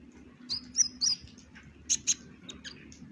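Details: Brown-breasted ninja sunbird in full song with varied shots, giving a few scattered high, sharp chirps and short squeaky notes separated by brief pauses, with a low hum underneath.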